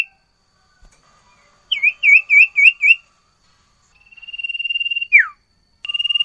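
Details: Sirtu bird in full song: a rapid run of five looping whistled notes, then a long pulsed trill ending in a falling sweep, and another trill starting.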